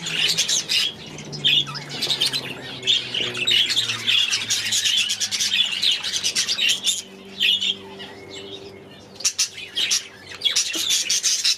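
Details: Budgerigars in their aviary, several birds chattering at once: dense, scratchy warbling and short squawks that come in bursts and pause, with a faint low hum beneath.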